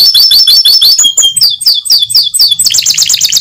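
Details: Atlantic canary song played to encourage other canaries to sing: quick repeated high chirps, swooping descending whistles, then a rapid buzzy rattling trill, with a low hum in the background.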